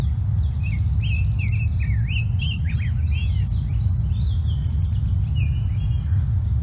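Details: Brown-headed Cowbird: a rattly, bubbling series in the background mixed with high, squeaky slurred whistles, over a constant low rumble of background noise.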